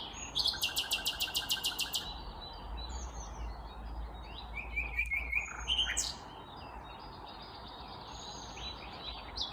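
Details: A vagrant Common Nightingale singing on a May morning in 2021 in Kvarnbo, Uppsala, Sweden. The song opens with about ten loud, rapidly repeated staccato notes, then comes a lower buzzy rattle and scattered soft whistles over faint low hum.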